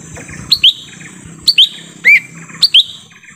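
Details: Lesser green leafbird in forest, lure call for drawing in wild birds: paired sharp upswept whistles repeated roughly once a second, one lower slurred note between, over steady low hum.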